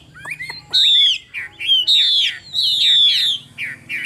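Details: Chinese hwamei, a caged songbird from Vietnam said to sing well, gives a few clicks, then long, loud, downward-gliding whistles alternating with short lower notes.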